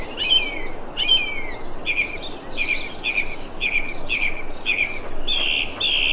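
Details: Thrush calling on 25 February 2021, two downward-sweeping whistled notes followed by a run of about eight short, buzzy, mid-high notes at an even pace, with steady background hiss.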